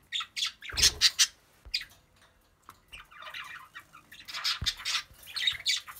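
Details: Budgerigars chewing on a mineral block give harsh, scratchy squawks and rapid chattering bursts, broken by brief pauses.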